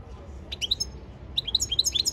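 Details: European goldfinch training song recorded 15 February 2024: a couple of quick high chirps, a short gap, then a bright run of rapid, tinkling twittered notes rising and falling.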